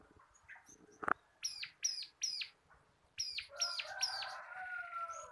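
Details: Bar-winged prinia of the local crystal cotton type, singing for use as a training tutor and lure for cage birds. A loud click comes first, then two runs of three ringing arched notes. Softer warbling follows.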